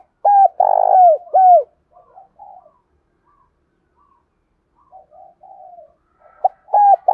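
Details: A spotted dove giving "thúc" and crowing calls: loud, mellow coos in a quick phrase, then softer murmured notes and another phrase.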